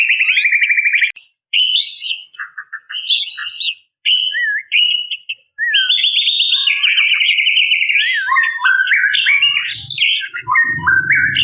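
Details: Female white-rumped shama calling males: buzzy rattling trills, varied whistled phrases and high clicks, with a low rumbling noise near the end.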